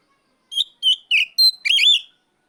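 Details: Oriental magpie-robin calling out a rival in ngeplong style, kept bird: five sweet whistled notes, steady then falling, ending in a longer warbled, wavering phrase.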